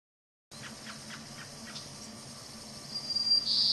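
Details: Mother American robin calling to her nearby fledgling: a quick run of short, sharp chirps, about four a second, followed by a thin, steady high whine that grows louder, over a low background hum.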